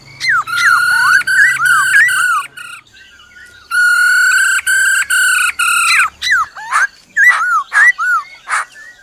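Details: Black-throated laughingthrush in forest-style song with the female's trilling. Loud buzzy bursts heavy with overtones are repeated in two bouts, then give way to quick, looping whistles mixed with sharp clicks.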